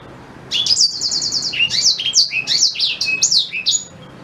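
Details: Blackthroat canary singing for use as tutor for white-rumped shama: opens with a fast, even trill of repeated high notes, then tumbles into varied swooping whistles and chirps for over three seconds.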